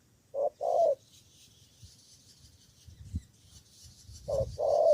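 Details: A spotted dove used as a fighting decoy in Cà Mau, Vietnam, answering rivals: two short mellow coos followed by a longer one, repeated after a pause of about three seconds. A steady high hiss of insects and faint low thumps run beneath.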